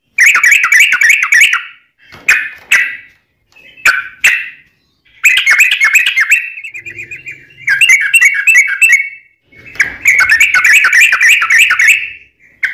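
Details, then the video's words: Long ropelan song of a Yellow-vented bulbul, used as training material and to attract wild bulbuls: dense bursts of bubbly, chattering notes broken by short gaps and a few single sharp notes, with a faint low hum between phrases. "Kicau Trucuk Ropelan Panjang Ngelituk Tanpa jeda"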